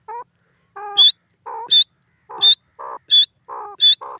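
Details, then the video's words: Francolin (dakhni teetar) calling loudly and clearly: a series of repeated phrases, each pairing low, nasal, harmonic notes with a sharp, high whistled note, about five phrases in four seconds with short silent gaps and no background noise. "dakhni teetar ki best sound"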